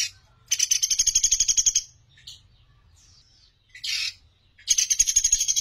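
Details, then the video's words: Sunda pygmy woodpecker song for training songbirds: high, buzzy rattling trills lasting over a second, a short squeaky note in between, then another rattle begins, over faint low rumble. "Masteran Pelatuk Beras Gacor Suara Jernih"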